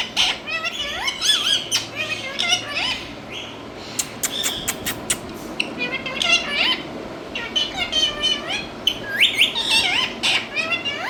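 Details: Indian ringneck parrot from India giving harsh, rasping squawks and chattering, speech-like calls in rapid overlapping bursts, broken by sharp clicks and brief pauses.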